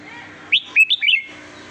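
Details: Red-whiskered bulbul singing sweetly: a quick phrase of four bright, slurred whistled notes within under a second, over a steady low hum.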